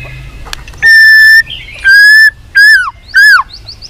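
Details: White-rumped shama being trained for singing contests, heard in loud, clear whistled notes: two long level whistles followed by two shorter arched, down-slurred notes, spaced about half a second apart in a quiet setting.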